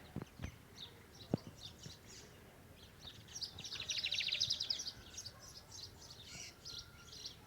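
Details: Lined seedeater (bigodinho) torneado song: a few clicks and knocks, then a rapid high trill of about a second and a half rising out of soft background noise, followed by fainter scattered high notes.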